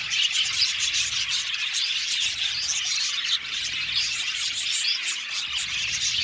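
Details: A colony of about 70 pairs of budgerigars in an aviary: dense, continuous high chirping and twittering from many birds at once, a steady bright wash with no pauses.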